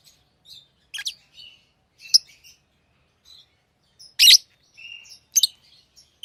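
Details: Tame pet lovebirds making scattered soft twitters and a few loud, shrill, high chirps, the sharpest near the end.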